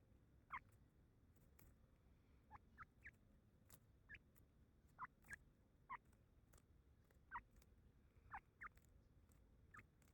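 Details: Grey francolin chick (teetar ka baccha) uttering quiet, clipped peeps in loose pairs and singles, over a dozen across ten seconds, against steady low hum and scattered ticking noises.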